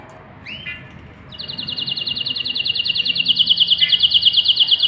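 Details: Canary pair with nestlings being fed inside the nest; after a short rising note comes a long, fast, ringing trill of identical high pulses, about three per second, growing steadily louder to the end.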